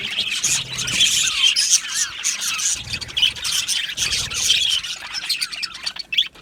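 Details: Budgie colony chorus in an aviary: continuous high twittering and squawking, some short warbled notes sliding up and down amid the dense overlapping calls.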